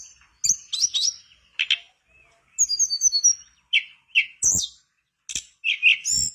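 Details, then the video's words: Vigorous Mangrove blue flycatcher song meant to coax a quiet bird into singing: bursts of high chirps and brief whistles separated by short pauses, with quick sharp clicks and buzzy notes. "Pancingan burung tledekan bakau gacor biar sikatan bakau macet ikutan gacor"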